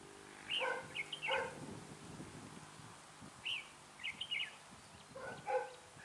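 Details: Red-whiskered bulbul used as a lure bird for trapping in cold weather of 12 to 15 degrees: short whistled phrases in bursts of three or four notes, repeated three times with pauses between, over low background noise.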